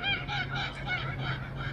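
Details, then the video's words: A kookaburra near the coast at Bicheno, Tasmania, gives a loud, raucous series of harsh, cackling notes, with a low hum beneath. "이게 쿠쿠바라 울음소리예요. 원숭이가죠?"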